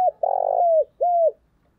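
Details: Decoy spotted dove giving thúc bổi calls in a thổ đồng voice: a long, buzzy, vibrating coo that trails down, then a smoother, shorter arched coo, both close and loud.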